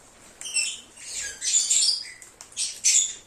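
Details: Lovebirds calling, for attracting an escaped lovebird: a few drawn-out, shrill, slightly rasping squawks, one dipping lower and then rising, with short pauses between them.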